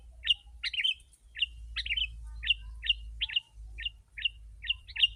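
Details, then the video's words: Sooty-headed bulbul calling as a lure to draw in wild birds: short chirpy notes with a quick upward flick, repeated steadily about every half second, some doubled, over a low steady hum. "Kutilang si.ladusing super gacor suara rapat menekan burung liar"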